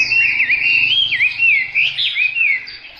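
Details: A selected hwamei delivering a continuous, fluid whistled phrase that loops up and down in smooth slurred waves, clear and rich against a quiet background.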